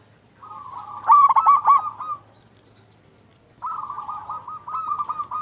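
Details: Local zebra dove singing vigorously, used as a lure to stir other zebra doves into song: a buzzy, trilling coo holds level for about a second with stuttered accents, then a second trilled phrase follows after a pause; faint low hum underneath.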